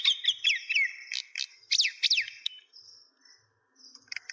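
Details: Myna chirping in Kulaura, Bangladesh: a quick series of sharp, descending whistled chirps and harsher notes in bursts, then a pause with a faint thin tone before more chirps resume.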